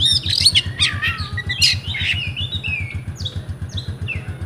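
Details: Caged oriental magpie-robin from Comal, Pemalang, Central Java, Indonesia, singing in the rewo-rewo style: rapid, varied high whistles and chirps with sliding notes, over a steady low rhythmic thumping hum.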